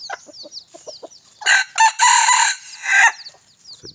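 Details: Red junglefowl rooster, just over a year old, crowing in the wild on a Friday morning: one loud, hoarse crow in several broken syllables lasting about a second and a half, after faint high chirps from small birds.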